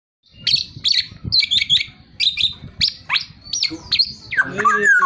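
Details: Black-naped oriole singing at full tilt: a run of varied whistled and harsh notes with fluting slurs, ending in a longer rising-falling warbled phrase; faint low background rumble.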